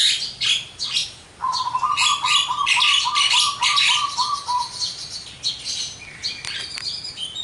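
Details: Javan myna singing a lively, busy song full of varied material: harsh buzzy and chattering bursts, sharp chirps, and a run of about fifteen quick even notes repeated at a steady pitch midway through, with no other sounds standing out.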